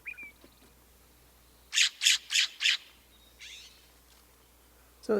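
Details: A Western (California) scrub jay call: four harsh, raspy shrieks in quick succession, about three per second, with a few faint softer notes before and after.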